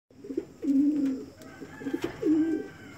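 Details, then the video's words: Reverse-wing Pouter, a fancy domestic pigeon breed, gives two low, throaty coos, each a rolling hum with a slight dip and rise, about a second and a half apart, in a quiet room. "Reverse-wing Pouter Domestic pigeon breed"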